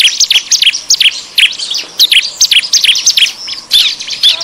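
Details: Bar-winged prinia lure sound of excited, noisy calling: quick pairs and triplets of sharp, high, falling chips, uneven in rhythm, with fainter scratchy notes behind them.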